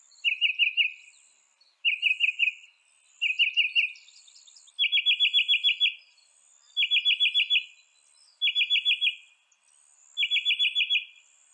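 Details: Mockingbird song, northern species of North America: short rapid trills of about five notes, given roughly every one and a half seconds, the pattern changing partway through.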